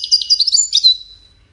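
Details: Brief, sweet twitter from a goldfinch: a quick cluster of high chirps and a short buzzy slur lasting about one second, then quiet.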